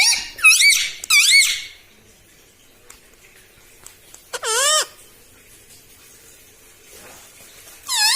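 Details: Talking pet parrot said to repeat "mitthu mitthu" and "mummy": two quick bright arching calls, a long quiet gap with faint clicks, then one deep dipping squawk and a final harmonic call.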